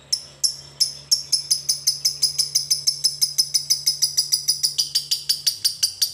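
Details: Lovebird used as a masteran to prompt caged lovebirds to sing: a long string of short, sharp, high ticking notes that speed up from slow to about four per second, steady and dry, with a faint low hum beneath.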